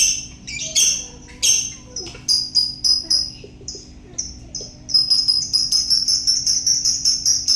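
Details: Lovebird singing in the ngekek style: shrill squawks and chirps at first, then from about the fifth second a fast, steady run of high, piercing chattering notes, with a low hum in the background.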